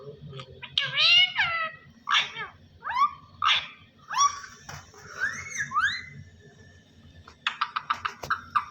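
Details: Talking parrot saying "Allah Hoo". Rich harmonic voiced phrases with downward and upward slides, a clear whistled note near the middle, and a fast burst of short clipped syllables near the end. A low hum runs underneath.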